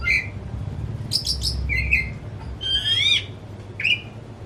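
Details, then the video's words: Agitated pet white-rumped shama with tail spread sings short whistled notes, buzzy bursts and a rising ringing trill, against a faint low hum. "Kicau Kacer Rumahan Emosi Buka Ekor Ngeplong Terus"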